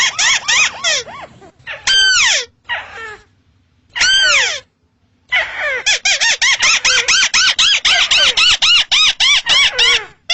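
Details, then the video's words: Crake calling from rice fields: loud, arched, harmonic squealing notes, first in spaced bursts with pauses, then a fast run of many short repeated notes for the last four seconds. "suara burung tikusan sawah"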